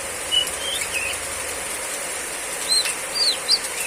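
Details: During heavy rain, a female Oriental magpie-robin gives sparse high whistled notes in the riwik ngeplong style, a few falling slurs early, then a brief rising pair near the end, all over continuous rain noise.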